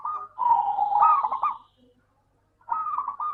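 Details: Local zebra dove cooing as a lure for lazy doves: a long warbling, rolling phrase with quick stuttering notes, a silent gap, then another trilled phrase.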